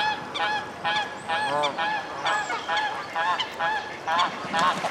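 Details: Mute swan parents at Reddish Vale Country Park chase away their 2011 cygnets before nesting again, giving hoarse, nasal honking calls about two every second in uneven bursts, over a steady background hiss.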